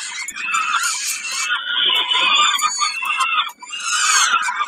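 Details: Peregrine falcon at Kawęczyn, 20 May 2022, during a snack: continuous hoarse squealing lasting several seconds, a short gap, then the rasping cries resume.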